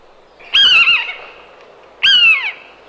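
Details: Common buzzard (Buteo buteo) giving two loud, mewing calls about a second and a half apart, each a harmonic-rich squeal that starts high and slurs downward, over a quiet background.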